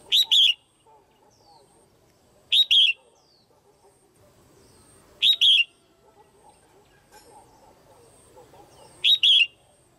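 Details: A female red-whiskered bulbul gives pairing calls that stimulate males: ringing two-note whistles, the second note dropping, repeated four times at intervals of about two to four seconds, with faint low chatter behind.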